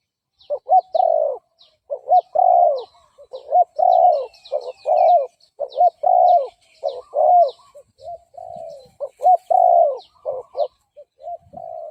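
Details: Decoy calls of a spotted dove meant to stir up fighting males: a dense, fairly fast series of low coos and arched glides, joined by scattered high chirps and twittering from other small birds.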